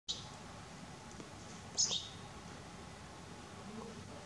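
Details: A juvenile European goldfinch (Carduelis carduelis) gives two brief, high, thin call notes about two seconds apart against a steady background hiss.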